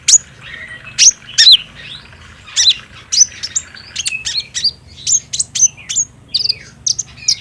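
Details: Lure song of the olive-backed sunbird, the green konin, to make a captive bird sing: loud, high, sharply slurred chirps, some paired, then rapid scratchy twittering phrases.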